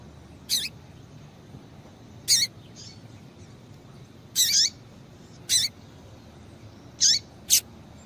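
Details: Calls of a female double-collared seedeater to excite males: high, sharp chirps with lower tails, spaced one to two seconds apart, one note slightly longer and doubled, with quiet hiss behind.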